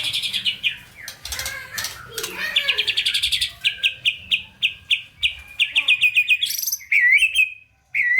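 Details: Busy White-rumped shama song played to stimulate lazy, low-spirited shamas, mixing rapid rattles and chatter with a run of repeated short whistled notes, then a looping whistle and high squeaks.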